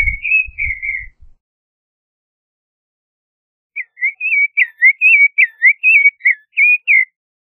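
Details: Creamy-bellied Thrush (Turdus amaurochalinus) song: clear, whistled warbling phrases, one after a faint low rumble, then about a dozen quick, slurred notes at a steady mid-high pitch.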